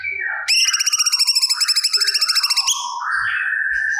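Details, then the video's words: A singing cucak cungkok reproduces mimicked material, offered as training audio for songbirds. A short slurred note leads into a fast, even, metallic trill lasting about two seconds, then lower whistled notes. "Burung Cucak Cungkok Gacor Muntahkan Materi Yang Di Simpan"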